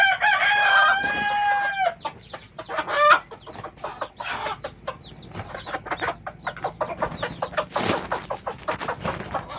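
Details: Food call of a hen to her chicks: an opening drawn-out squawk, then rapid soft clucking and a steady patter of peeping from the young.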